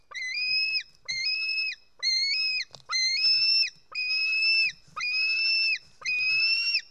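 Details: Hungry White-tailed eagle chick in its Estonian nest, 4 July 2018, begging while fed fish: seven level, piercing whistled screams, each lasting most of a second, repeated roughly once per second.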